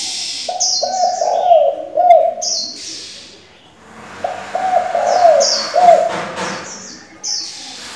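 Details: Spotted dove decoy with varied voices for training young doves delivers two coo phrases about four seconds apart. Each starts with clipped notes and swells into a rolling, dipping coo, while high chirping birds call throughout.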